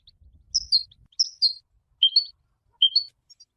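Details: Goldfinch song used for training: a few separate, clear, high whistled notes, some slurred downward, given in pairs at uneven intervals, with a faint low rumble at the start.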